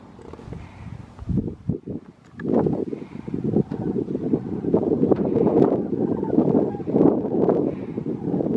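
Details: A flock of Sandhill Cranes flying over the Guadalupe River gives rolling, rattling bugling flight calls that overlap into a steady chorus, with a faint breezy hiss beneath.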